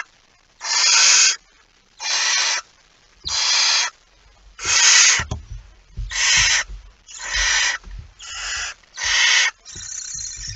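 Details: Barn owl with a mouse at its nest, 23 September 2019 shortly after midnight; a series of about nine harsh hissing rasps, each under a second, spacing tightening toward the end, with soft scraping sounds beneath.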